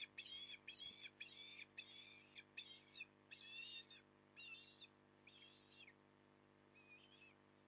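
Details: Osprey at the nest at Port Lincoln on 9 October 2020, morning: a series of harsh, high chirping calls repeated in rapid bursts, fading toward the end, with steady low hum beneath.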